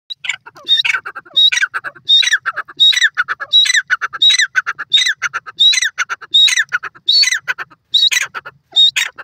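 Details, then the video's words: Francolin (teetar) calling, from a recording presenting Lotha, Irani and Dakhani teetar types: loud, harsh, ringing multi-note phrases repeated roughly every 0.7 seconds in a steady rhythm, with a quiet background. "lotha teetar awaz,irani teter awaz,dakhani teetar voice"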